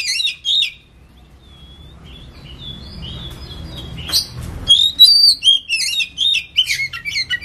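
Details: Oriental magpie-robin, 'ngetem' style song meant as a lure: brief chattering notes, then soft drawn-out whistles over low rumble, followed by loud, varied whistled phrases and choppy chirps repeated about twice a second.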